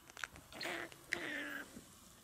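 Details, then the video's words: Pet green-cheeked conure saying "good boy" ("iiko"), which it says when scratched and often when burrowed in dark places, in a small, raspy, buzzy, alien-like voice: a few short syllables, then a longer sliding phrase. "ウロコインコ：ハル 【ハルちゃん いいこ】(おしゃべり) Conure: Talking Haru. "Haru, good boy.""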